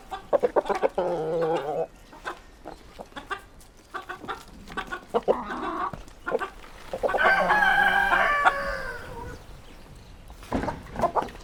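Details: Roosters among clucking hens: busy, broken clucks and cackles, then a long, wavering crow rising and falling over about two seconds, followed by more clucks.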